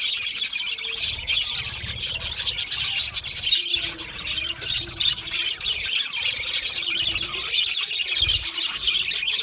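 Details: Budgerigars chirping as a group, a steady wall of high, rapid chattering notes and squeaky warbles, with brief quieter dips and low thumps underneath.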